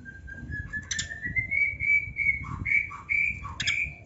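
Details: Kacer (Oriental magpie-robin) in training song: a long pure whistle gliding slowly upward, broken by lower soft notes and brief sharp chirps near the end.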